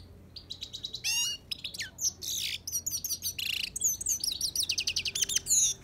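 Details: Himalayan goldfinch singing a lively, fast twittering song of bright chirps, rising and falling whistled notes and rapid trills, delivered in quick bursts with short pauses and growing denser toward the end.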